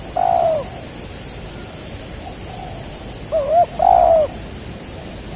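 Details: Spotted dove heard while trapping birds in Indonesia, with a local bird as the target. One long falling coo comes early, then after a pause a wavy short note and a longer coo. Rapid high chirps from another creature and a steady insect drone follow.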